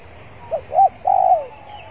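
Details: Decoy spotted dove warming up in a yard before singing, giving a short three-part phrase: a brief low coo, a rounded arched coo, then a longer drawn-out coo that falls away at the end.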